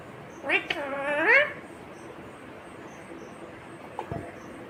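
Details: Green ringneck parrot says one brief word-like phrase whose final syllable rises, followed by a faint click and quiet room background.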